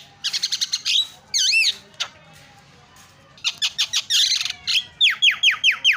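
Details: Chatty Javan myna, singing as lure material for mynas that have gone quiet: quick bursts of rattling notes and looping whistles, a silent pause, then more rattles and a run of five falling whistles.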